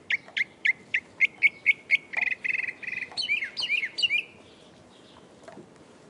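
Northern mockingbird singing in blocks of repeated phrases: about eight sharp, clear chirps, then a run of buzzy rattles, then several squeaky, complex notes repeated three times.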